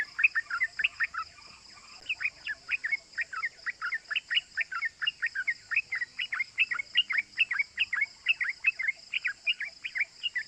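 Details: Yellow-vented bulbul lure recording of rapid 'cuk cuk' chatter meant to make other bulbuls call: crisp, clipped notes tumbling in quick succession, a brief gap near two seconds, then an unbroken rhythmic run.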